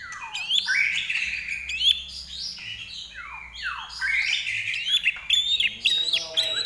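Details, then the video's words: Common iora singing continuously, recorded for tutoring birds at home; repeated clear whistles slide steeply downward, interspersed with high ticking notes and a rapid trill near the end. "larwo Gacor"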